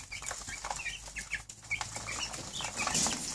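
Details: Two-week-old Cornish Cross chicks crowding their keeper one morning, apparently hungry: scattered short high chirps over steady rustling and flapping wings, with a bright burst near the end.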